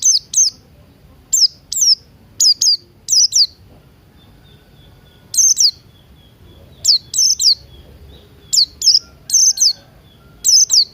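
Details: Buxton's white-eye morning song, used to prompt birds to sing: roughly twenty bright, high, downslurred whistled notes in short clusters of two to three, with a steady rhythm throughout and little background noise.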